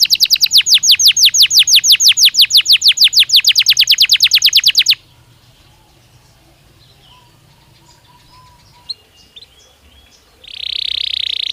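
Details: A Belgian canary sings naturally, used for daily training stimulus: rapid, very regular trill of descending whistles for about five seconds, then near silence with a few faint chips, ending in a loud buzzy roll.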